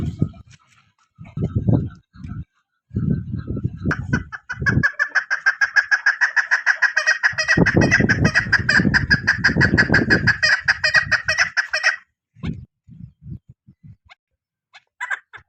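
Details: Female chukar used in hunting gives a long run of rapid repeated clucks lasting about eight seconds, partly overlaid by loud low knocking and rustling noises.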